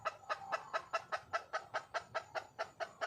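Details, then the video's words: Wild red junglefowl hen calling to attract a male, giving quick, evenly repeated clucking notes, roughly two to three each second, clear against a faint background hum. "le bruit d'une poule sauvage,เสียงไก่ป่าร้องหาถู่หาตัวผู้,ສຽງໄກ່ປ່າຮ້ອງຫາຄູ່ຮັກ, poj qaib qus see"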